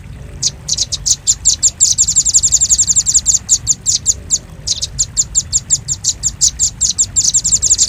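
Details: High, piercing chips of the velvet-fronted nuthatch, played to attract birds, run together in rapid trilled series with a short break near four and a half seconds.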